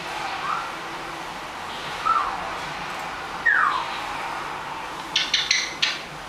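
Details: A 12-month-old male pet Eclectus parrot gives three short, falling whistles about a second and a half apart, then a quick burst of raspy talking as he says his name, over a steady background hum.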